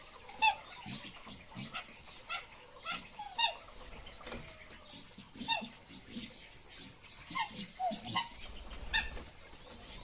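Mandarin ducks give short, squeaky, slightly rising whistled calls every second or two over a steady hiss of background noise.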